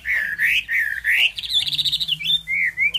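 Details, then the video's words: Chinese hwamei singing loud, clear whistled phrases: slurred notes bending up and down, followed by a fast, chattering run of higher notes and ending in rising whistles. "họa mi"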